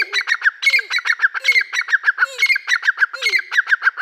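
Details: Dakkni teetar calling alongside young Irani teetar chicks: a continuous string of harsh, scratchy chattering notes delivered several per second, broken by short downslurred whistles about once a second.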